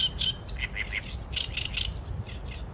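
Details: Oriental reed warbler filmed with a Sony A7M3 and 200-600mm lens, singing a harsh, grating run of rapid chattering notes, repeated croaky syllables over a low constant rumble of background noise.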